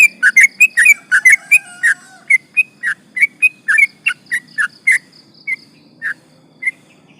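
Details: Lure recording of a sooty-headed bulbul in full song meant to rile rivals: dense run of quick, clipped bubbly notes that thins out toward the end into scattered single chirps.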